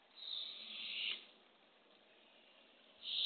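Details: Barred owl at a nest box on an early April 27, 2024 morning, as a female brings a baby opossum to hungry owlets. Two harsh hissing screeches, the first about a second long, the second starting at the end.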